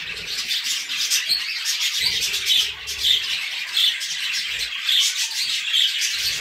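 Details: Budgerigars, with cockatiels also named, giving a dense, continuous warbling chatter of buzzy chirps and squeaks, with brighter whistled notes rising out of it about once a second; several birds call at once, with faint low thumps underneath.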